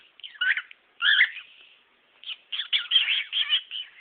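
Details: Male cockatiel kept as a pet, showing off his repertoire: squeaky warbled chirps, a pause, then a fast run of scratchy, chattering notes.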